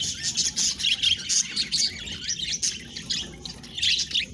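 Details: Several pet budgies twitter and chirp in lively bursts, bright high warbled notes rising and falling in clusters separated by brief quieter gaps.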